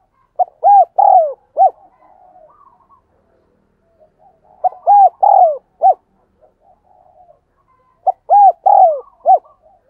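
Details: Repeated 'thúc gù' cooing of a spotted dove, played to train decoys and make wild doves call back. Three low, mellow four-note phrases about four seconds apart, each a short note, arched coo, long falling coo and brief end note, with quiet murmurs between.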